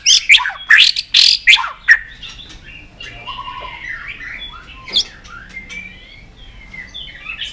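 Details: Excited White-rumped shama on its perch: a loud opening burst of sharp, high clicking and whistled notes, then softer, scattered warbling phrases.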